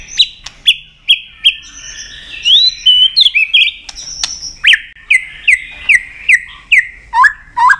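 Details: White-rumped shama singing a fighting song while flicking its tail to provoke a rival: clear, loud whistled notes, sharp upslurs repeated at a quick, uneven pace, broken by a brief pause, then a run of similar notes.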